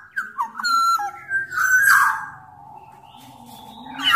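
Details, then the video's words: Black-naped oriole of Sumbawa singing keenly: clear whistled notes stepping up and down, then a harsher swelling phrase that tails off into a long, low, fading tone, as lure audio for quiet orioles. "Burung kepodang sumbawa gacor"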